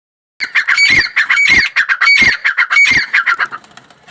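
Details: Grey francolin calling loudly in a fast, rhythmic series of harsh, ringing notes, about three per second, with a few louder peaks before the series trails off into softer notes.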